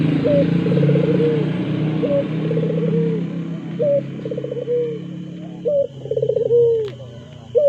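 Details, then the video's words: Ringed turtle dove in full song, giving phrases of a clipped upward note and a bubbling, rolling coo that droops at the end, several phrases in a row, with a constant low background hum. "burung puter Gacorr"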